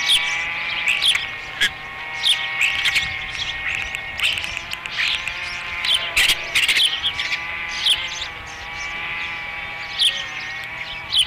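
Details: Osprey at a nest on Dunrovin Ranch during the third feeding, 30 May 2016: sharp, high, downslurred chirps in irregular bursts throughout, over a steady humming drone.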